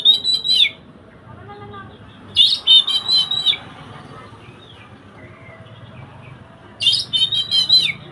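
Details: Oriental magpie-robin singing, recorded as teaching material for a bird that does not sing: three separate bursts of rapid, sweet, high trilled notes, each about a second long, with long quiet gaps between.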